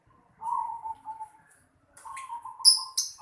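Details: Zebra dove in a house yard giving two soft, low trilling coo phrases, the second longer and slightly wavering, with sharp high chirps from another small bird near the end.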